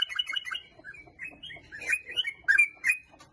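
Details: Sooty-headed bulbul lure song: four quick liquid notes, then a string of short, bright whistled chirps rising and falling, spaced irregularly.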